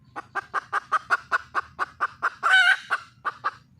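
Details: Red junglefowl hen calling for a male in the wild: a long even run of short clucks, about five per second, broken by one loud rasping squawk, then a few more clucks.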